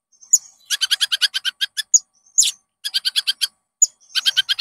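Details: Bright Konin song used as a lure for caged birds: thin high whistles broken by fast rattling bursts of sharp, rich chips, in quick repeated phrases.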